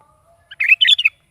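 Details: Sooty-headed bulbul singing actively in the morning, played to make a pet bulbul answer and sing: a quick burst of bubbly, liquid, chattering notes lasting about half a second.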